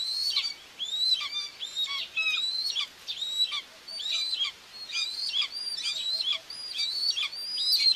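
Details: Nest-cam recording from Tiszalök, Hungary, June 2, 2024: a common buzzard mother feeding two young. Dense run of thin, high, arching whistles, overlapping and nearly continuous, with some softer lower notes between.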